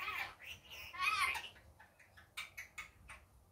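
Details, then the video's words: Daytime chatter from a pet rainbow lorikeet: squeaky, warbling screeches in quick succession, a louder grating burst at one second, then fading into short clicking notes. "Rainbow Lorikeet daytime 10 min"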